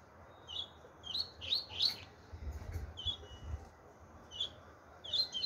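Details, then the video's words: Chopi blackbird with a song style the owner calls 'tui tui': clear whistled notes in short bursts at a steady high pitch, several sliding slightly, given about every half second to second with short pauses, over a low background hum. "pardo tui tui zero zero"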